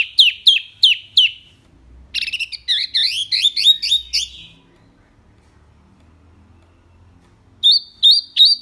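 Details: Vigorous song of a small wambi: quick rapid chirps, then a dense twittering jumble of rising notes. After a pause, crisp upturned whistles return.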